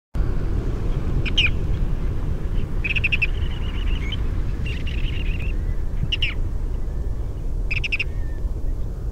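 Ruddy Turnstone giving short, hard, stuttering rattles in about five bursts spaced one to two seconds apart, over a steady low roar of wind or surf.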